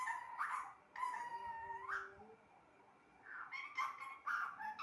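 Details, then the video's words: Pet parrot talking: long, drawn-out nasal syllables with rising ends, a pause of over a second, then quicker choppy speech-like bursts. "Talking parrot"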